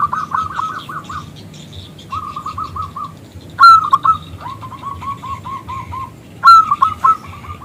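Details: Local zebra dove with a big crystal voice, calling a male to answer; strings of quick, even cooing notes, broken by two sharp loud rising notes that launch further rapid trills, a faint second bird behind.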